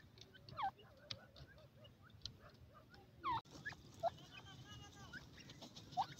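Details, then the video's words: Female Grey francolin calling: short, sharp, downward-slurred notes given singly at irregular gaps, about five in six seconds, over a low background hum with faint scattered chirps. "gora teetar madi ke awaaz"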